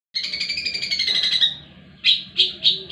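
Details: Long-tailed shrike on the competition track, singing a long buzzy, slightly falling harsh note for over a second, followed by four short, loud, separate chips.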